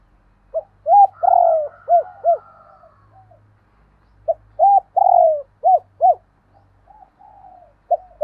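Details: Spotted dove repeating its double cooing (gáy đôi) twice: each phrase is a quick pip, a rounded coo, a long falling buzzy note and two short arched coos. Soft trailing notes and faint low rumble fill the gaps.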